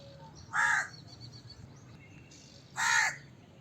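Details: Two drawn-out harsh crow caws about two seconds apart, with faint high chirps from other birds in the background.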